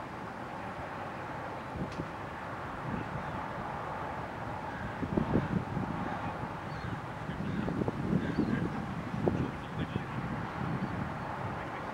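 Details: Low rumbling wind and background murmur with some faint thumps, but no clear animal call.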